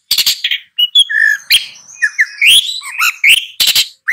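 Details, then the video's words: Long-tailed shrike song: a varied, scratchy run of short whistled notes, slurs and harsh buzzy bursts. The pitch shifts from phrase to phrase with brief gaps, and there is no clear background noise. "Long-tailed Shrike Bird Song"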